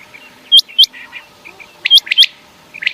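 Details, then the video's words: Common quail calling at night: sharp, upward-hooked whistled notes, a close pair, then after a pause a quick cluster of three, over faint soft chirps in the background. "quail sound quail bird voise batair ki Awaz rat keylea صوت السمان للصيد رات کے لیے بہترین آواز"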